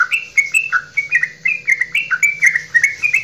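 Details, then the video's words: Goklikan song of a Javanese straw-headed bulbul, aimed at getting other bulbuls singing: steady chain of loud, clear, bubbly whistled notes, some rising and some dropping, with a low hum in the background. "Cucak Rowo Jawa Goklikan Terpanjang"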